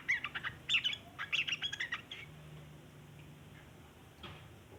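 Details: Yellow-vented bulbul in long chattering song, used to lure other bulbuls: about two seconds of fast, sharp, twittering chirps, then near quiet with one faint later note.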